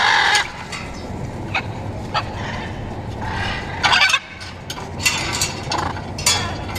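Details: Wild blue-and-yellow macaws visiting a balcony water drinker in Caracas, Venezuela, flying, drinking and interacting; harsh, raspy squawks in repeated bursts, several birds calling irregularly over a low rumbling background.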